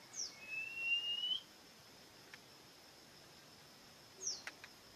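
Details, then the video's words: Bird sings a long, slightly rising clear whistle preceded by a short high note, then after a pause gives another brief high note, over low steady hiss. "Sangat Indah Suara burung ini"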